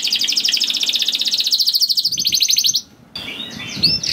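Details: Canary used as a training song to prompt other canaries to sing: rapid, dense, high trill of repeated notes pulsing steadily for nearly three seconds, then a brief pause and a few sharper upper notes.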